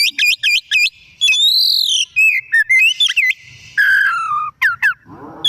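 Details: Singing white-rumped shama in the afternoon: a rapid series of repeated chirps, then drawn-out arching whistles, descending slurs and sharp sweeps, ending with a lower harsh note.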